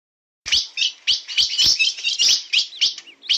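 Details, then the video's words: Blue-black grosbeak, the steel-billed (bico de aço) type, singing in the na pegada style: quick chirping notes in dense bursts, starting after a brief silence, with sweeping tones high in pitch. "Azulão bico de aço na pegada"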